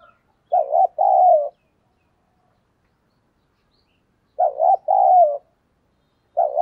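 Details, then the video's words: Lure spotted dove giving its coo to attract wild birds, in the giọng thổ voice. Two full coo phrases, each a warbling short note followed by a longer falling note, about four seconds apart, the start of a third at the close. "cu gay kich boi nhanh noi hàng ngày mở lên là bổi gáy"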